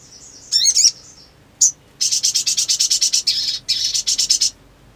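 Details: Black sunbird, a sogon, opening with a twittering phrase, a single sharp chip, then a long fast chattering run of high buzzy notes in two bursts lasting about two and a half seconds.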